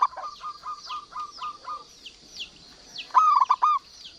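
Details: Local zebra dove singing keenly, used to stimulate silent birds: a run of soft, evenly spaced coos, then one loud, quick stuttering coo phrase, with high chirps from other birds throughout.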